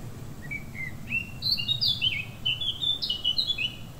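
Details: A Eurasian blackcap sings at Correns on 9 July 2021: a few soft, quiet notes swell into a rich, fast, fluty warble of varied high whistles over a low background rumble.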